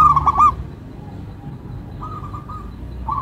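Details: Local zebra dove singing melodiously: a short rolling burst of clipped cooing notes, a pause, then a longer run of soft pulsed coos over low background hum.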